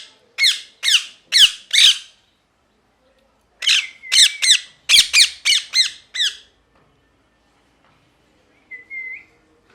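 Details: Pet parrot screaming angrily indoors: harsh, rasping squawks in two bursts, four then eight calls about half a second apart, ending with a soft, short whistled note.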